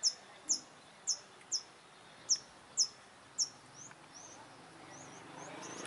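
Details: Sunbird confronting dominant rival males near a trap gives sharp, piercing high notes spaced roughly every half second, seven in a row, then fading softer twitters against faint background hiss.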